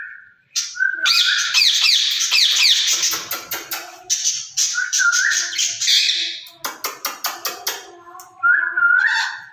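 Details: Rose-ringed parakeets, two caged birds said to speak Urdu to each other, give a rising whistle, then long harsh raspy squawking, a burst of rapid clicks, and another whistled rising note.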